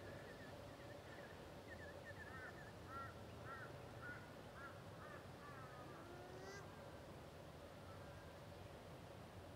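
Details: A male Australian wood duck (Chenonetta jubata) in Australia, 10 July 2011, gives a run of short, nasal, mewing notes, then a few drawn-out rising calls, over a steady low background rumble.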